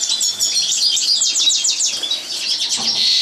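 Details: European goldfinch in training, singing a dense, continuous twittering song of rapid buzzy and tinkling high notes with trills, steady and unbroken throughout.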